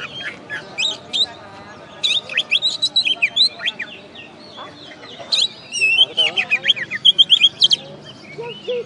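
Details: First-place contest oriental magpie-robin (kacer), West Kalimantan, Indonesia, described as master-tutored, mixes buzzy notes, rapid repeated chips and looping whistles, building to a fast string of sharp notes near the end.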